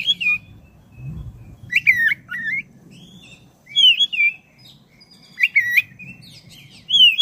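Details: Black-breasted oriental magpie-robin in long, energetic song meant to spur caged birds to sing: repeated loud whistled phrases of twisting, slurred notes roughly every one to two seconds, with sharp clicks and a low hum beneath.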